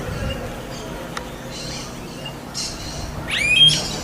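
Smooth-billed Ani giving a few quick, thin whistled notes that rise sharply in pitch near the end, after scattered hissy bursts over a steady background hiss.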